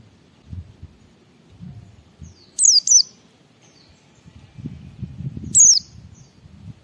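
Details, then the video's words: White-eye singing in ngalas style, meant to stimulate other white-eyes to sing: two short bursts of high, thin, descending whistled notes about three seconds apart, over faint low rumbling background noise. "Suara Burung Pleci Gacor membuat Semua Pleci langsung ngalas Bongkar Isian"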